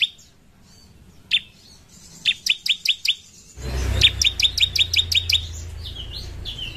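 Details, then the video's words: Loud, piercing song of a sunbird used as a master bird to spur others to sing: several bursts of sharp high chirps in quick succession, with a low rumbling background noise in the second half. "Ciblek mana yang gak ikut bunyi setelah dengar ini?"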